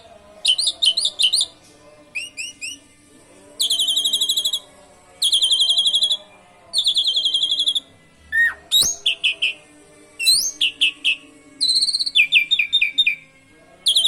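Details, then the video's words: Asian pied starling (jalak suren) singing canary-style phrases for luring other birds: high buzzy rattling trills about a second long alternate with quick chattering note groups and pauses, plus one sharp low click. "Pancingan JALAK SUREN gacor isian KENARI !! pancing burung lain ikut gacor"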